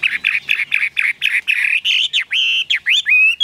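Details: Caged Chinese hwamei: a row of rough, buzzy repeated notes gives way to sweeping whistles, ending in a clear level whistle.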